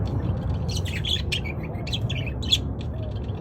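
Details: A group of budgerigars in loud chorus, with overlapping quick chirps and chattering notes above a steady low rumble of background noise.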